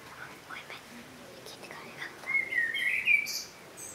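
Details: Common blackbird singing: a brief warbled, fluted phrase near the middle rises and falls, then ends in a high, thin twitter, over a quiet background hiss.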